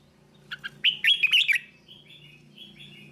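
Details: Tutor song of a red-whiskered bulbul, used to train young birds: two short chirps lead into a rapid, rich warbled run, followed by soft, fainter trailing whistles, with a low hum underneath.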